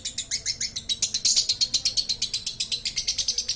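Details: Lovebird in the 'konslet' style giving a long 'ngekek' trill, a rapid string of bright, high, clipped notes that grows louder after the first second and keeps a quick even pulse.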